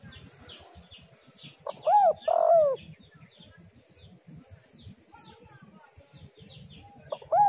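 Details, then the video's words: Spotted dove (tekukur) calling, played to lure other doves into calling: a short phrase of two arched coos and a longer wavering coo near two seconds, another beginning at the end, over background chirping of small birds. "tekukur super gacor suara indah"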